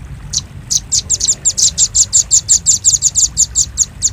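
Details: Velvet-fronted nuthatch calling for bird luring: after a hesitant start, an even, rapid series of thin, high, dry chip notes, about five per second.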